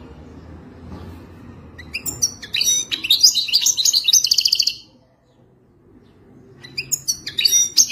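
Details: Quiet at first, then the Moroccan wild-type European goldfinch bursts into a long, fast phrase of liquid twitters and a rattling buzzy trill, falls silent for about a second and a half, and starts a new twittering phrase.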